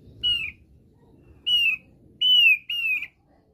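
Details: Four clear, downward-bending whistles from a Thick-billed white-eye of East Nusa Tenggara, Indonesia, in its basic song (kicau dasar). The first two notes are spaced apart and the last two come close together, over a low rumbling background.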